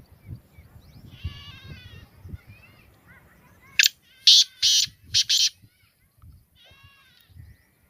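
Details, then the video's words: Black francolin (kala teetar) utters a grating, rhythmic phrase of four to five loud notes in under two seconds, framed by softer thin calls of other birds and low background hum. "Beautiful voice of black francolin Kalay Teetar Ki Awaz Kalay Teetar Ki Boli Sindhi teetar ki awaz"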